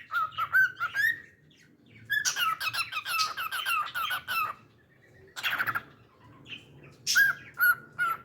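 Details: Pet cockatiel singing: bursts of clear whistled notes near one pitch, mixed with chirpy warbling phrases and squeaks, separated by short pauses.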